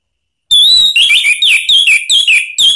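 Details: Orange-headed thrush song used to draw a response from another bird: a loud, continuous run of varied falling and rising whistled notes.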